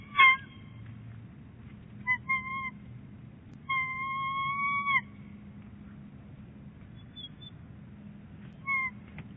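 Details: Bald eagles at their nest at Big Bear Lake on 22 January 2018, the male bringing fluff to the nest: clear, drawn-out tonal cries with rich overtones, one lasting over a second, between short clipped notes, over a steady low rumble.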